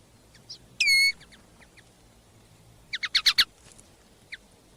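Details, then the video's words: A captive common linnet kept as a songbird gives one loud, nasal, drawn note, then a quick twittering burst of five bright notes, with scattered soft chips between. "Певчие птицы, коноплянка. Songbirds, linnet."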